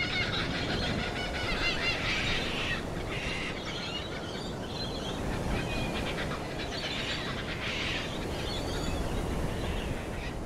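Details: Laughing kookaburra giving harsh, broadband cackling bursts in several spaced rounds, with a steady low rumble of background noise throughout.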